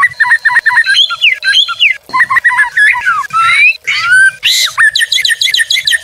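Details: White-rumped shama (murai batu) tutor and lure song: varied whistled phrases with falling and rising slurs, a sharp buzzy burst near the middle, and quick chattering notes toward the end.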